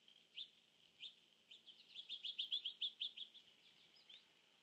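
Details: Cedar waxwing on its nest tree, 19 September 2014 around 14:47, giving thin, high, lisping seee notes, spaced at first and then quickening into a run of rapid trilled calls.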